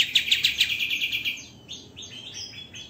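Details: White-rumped shama master song for training other birds: a fast burst of about eight rough, chattering notes, then a string of higher, varied whistles.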